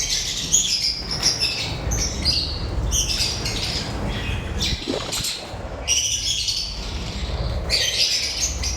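Lovebirds chatter in shrill, squeaky chirps and squawks in rapid, overlapping bursts, with brief pauses, over a low background rumble.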